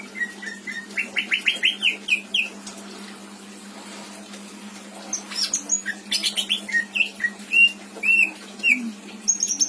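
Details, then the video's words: Pet greater green leafbird from Indramayu delivering a long song of accelerating rising chirps, then varied sharp chatter and looping whistled notes, with a steady low hum behind. "Burung cucak ijo isian mantap!!!"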